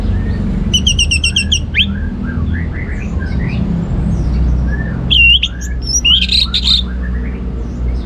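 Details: Orange-headed thrush singing ngeplong, a rapid rattle of repeated high notes, then scattered soft whistles and a second burst of loud slurred and buzzy notes, with steady low background hum.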